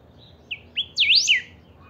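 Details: Single burst from a singing saffron finch of the pica type: two short upslurred notes, then a fast looping sweep that rises and drops, all high and clear, lasting about a second.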